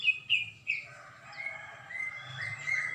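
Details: Greater green leafbird, recorded on Saturday 21 December 2024, delivering a few sharp chirps followed by sustained, wavering whistled notes and softer overlapping twitters, with a faint low hum beneath.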